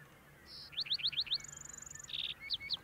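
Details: Male lark sparrow singing, with a female carrying food, on Antelope Island, Utah, dated 6-08-2022: a high buzz, five quick rising chips, a long thin trill, then a lower buzzy burst and a few sharp notes.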